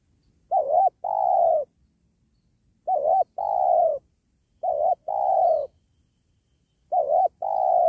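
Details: Spotted dove (tekukur) cooing during trapping of wild doves next to a sacred tree. Four paired phrases, a quavering short note followed by a longer steady coo, repeated roughly every two seconds against quiet surroundings.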